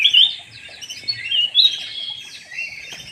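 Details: Lure call from a black-naped oriole, opening with a loud shrill whistled squeal, then quick chattering warbles that fade toward the end.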